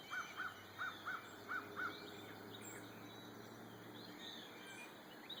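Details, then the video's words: Wild birds singing on an April morning in the Blue Ridge Mountains: six short, arched notes repeated quickly over two seconds, then only faint distant chirps over a steady background hiss. "Morning on the mountain: bird serenade"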